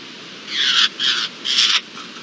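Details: A Eurasian jay, one of a family of jays recorded at dawn on 24 June 2022, gives three harsh, rasping screeches in quick succession, each about a third of a second long, over a quiet background hiss.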